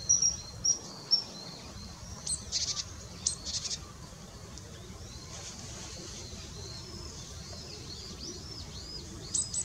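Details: Male and female long-tailed rosefinches on 20 December 2016 give scattered high, thin, sharp call notes, some in quick pairs and short clusters, spread across the recording over a steady low background noise.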